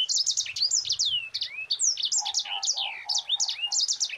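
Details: Continuous fast Mozambique canary song in 'ngerol rapat' style for tutoring other birds: tightly packed high chirps and sweeping downslurred whistles, with a row of softer lower notes in the middle.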